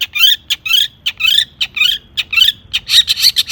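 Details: Agitated Long-tailed shrike singing, full of fill-ins, played to draw song from other shrikes: scratchy, buzzy chattering phrases repeated about twice a second, building to dense harsh notes at the end.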